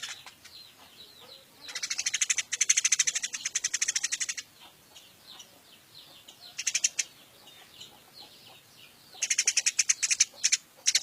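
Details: Eurasian tree sparrow kept after capture from the wild, long rapid chattering bursts of high chirps alternating with quieter stretches of softer calls.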